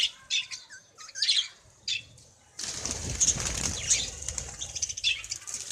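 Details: Budgerigars in a breeding setup give quick, high chirps and warbles, followed by a burst of fluttering wings.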